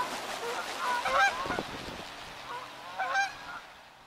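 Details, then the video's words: Wild geese squabbling over a puddle, arguing and chasing each other away. Harsh, nasal honks come in short bursts near the start and again after three seconds, with hiss in the background. "Wild Geese Fights Over a Puddle"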